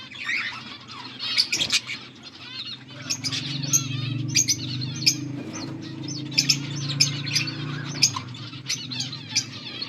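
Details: Budgerigars chirping and twittering in a group, varied warbled notes and sharp clicks in uneven bursts, over a low continuous hum.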